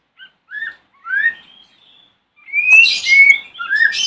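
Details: Morning lure song of a white-rumped shama for provoking rival shamas: soft scattered whistled slurs, then a loud burst of rising whistles mixed with harsh noisy notes.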